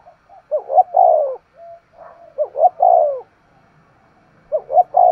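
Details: Decoy spotted dove's 'thúc gù' calling with a keen, sharp voice: paired quick upswept notes lead into a long, mellow descending coo, repeated twice, then a third phrase starts.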